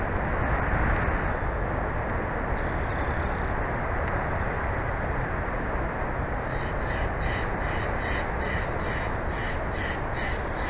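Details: Bald eagle pair's nest in Big Bear Valley, captured by a nature cam on 06/04/2024 at 14:35; after a long stretch of roaring background noise, a faint note, then a run of about ten rapid, piping, laughing notes closing the recording.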